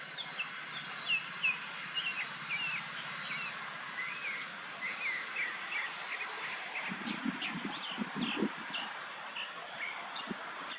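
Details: A young wild bald eagle, perched in a pine tree waiting for its parents to bring food, gives thin, high whistled chirps that rise and fall in quick irregular runs, over steady outdoor noise with a few low thumps.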